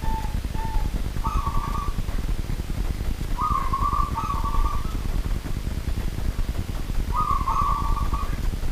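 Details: Local wild zebra dove singing after dark, giving two soft lead-in coos and then three short purring trills spread over several seconds, each at an even middle pitch, with persistent low-frequency rumble underneath.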